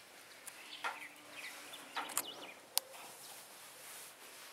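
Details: Small songbird singing in the morning at Capilla del Monte, Córdoba, Argentina: short scattered chirps and brief whistled notes with a sharp clicking note, against quiet outdoor background.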